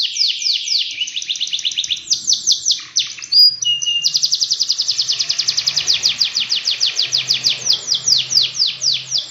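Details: Long canary 'gacor' song meant to set other canaries singing: varied trills and a short flat whistle, then a long rapid roll of repeated downward-sliding notes, with faint low hum.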